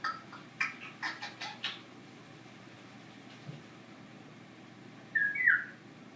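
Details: A female pet African grey parrot makes her everyday, unusual noises: a quick run of five or six short clicking, squeaky notes, then silence before a brief harsher squawk near the end.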